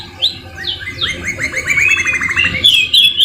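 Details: Canary song laced with white-rumped shama phrases, opening with a few separate rising whistles, then a fast, even trill of repeated chirps, ending in bright high twittering.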